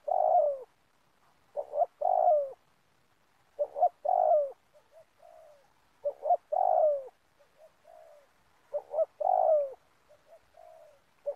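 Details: Spotted dove repeating its cooing phrase roughly every two and a half seconds in an oil palm plantation, recorded while luring doves for trapping. Each phrase has paired short notes and a drawn-out descending coo, with quieter soft coos between phrases.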